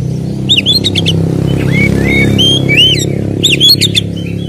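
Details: White-rumped shama song played to rouse captive birds to aggression: loud sliding whistles and sharp clicks over a steady low hum.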